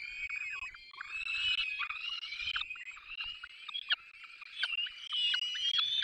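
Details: Peregrine falcon chicks at the nest in the Barycz Valley on 3 May 2024 while both parents feed them: dense, overlapping high chattering whines with short downward slurs, continuous throughout with little pause.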